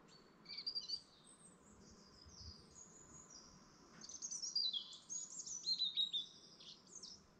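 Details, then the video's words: Lakeside dawn chorus in the Lake District National Park at first light: scattered high chirps and thin whistles, then a busier burst of rapid twittering and trilled phrases from overlapping birds over a faint low hum. "morning chorus bird sound at dawn"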